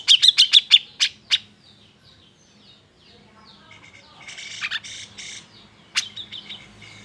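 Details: Grey-cheeked bulbul giving an agitated song meant to provoke reluctant birds into singing: a quick run of high sharp chirps, then a pause and a burst of harsh, buzzy squawks, and a final sharp note with trailing chatter.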